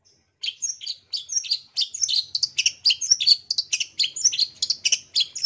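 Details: Long-tailed shrike song used as a stimulus for caged shrikes that have gone quiet: a continuous, rapid twittering of varied high, squeaky and scratchy notes with no real pauses.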